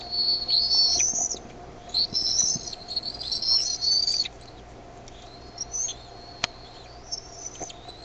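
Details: Decorah nest eaglets (bald eagle), evening of 13 May 2015, growing noisier when the mother arrives with food. Shrill piping whistles run together for four seconds, then sparser single rising peeps follow.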